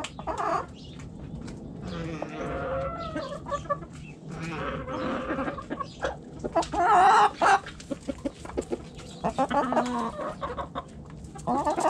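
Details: Backyard coop hens clucking and cackling, a lively mix of short clucks, drawn-out squawks and louder cackles from several birds, with frequent clicking and rustling noises.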